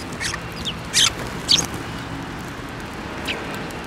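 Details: Sparrows flying onto a hand for food at a Tenmangu shrine on 15 December 2023; a few short high chirps, two louder ones close together near the middle, over steady low background noise.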